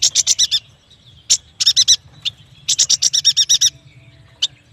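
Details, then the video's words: Yuhina, also called prenjak batu, singing in a lively, loud way. Quick bursts of bright, high chirping notes come in runs of about five, separated by short pauses, with a single sharp note between runs. "Suara burung yuhina paling istimewah"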